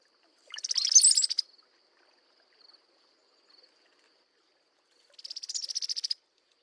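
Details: A mated pair of Brown-headed Cowbirds duet: the male gives a brief liquid gurgle ending in a thin high whistle, answered a few seconds later by the female's dry, chattering rattle call.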